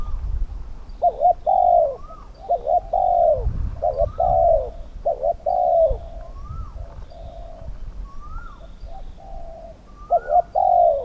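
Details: Spotted dove cooing in a Thai pen-trap decoying session with wild birds. Repeated mellow phrases mix short and drawn-out coos, each followed by a soft rising note, with low rumbling handling noise between phrases.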